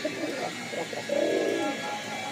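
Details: Giribaz pigeons, kept at a pigeon farm in Rajshahi, Bangladesh, including young birds; a low throaty coo swelling then fading under a steady room hum.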